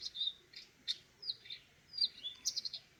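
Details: Eurasian nuthatch giving high chirps in small clusters, some short and clipped, others longer downward-sliding whistles, with short pauses between groups and a quiet background.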